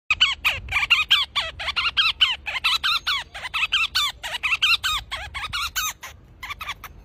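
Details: Pygmy eagle gives a fast run of high, squeaky chipping notes, about four to five a second, bent downward and slightly harsh, with little else heard.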